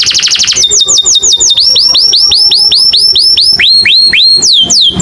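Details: American singer canary in loud melodious song, opening with a rapid high trill, then a long series of clear descending whistled slurs, repeated several per second, ending with higher sweeping notes.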